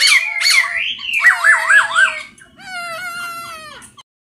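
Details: Masked laughingthrush singing: loud, clear whistled notes with rich harmonics, a wavering up-and-down warble repeated several times, then a steadier rapid chattering trill that fades out.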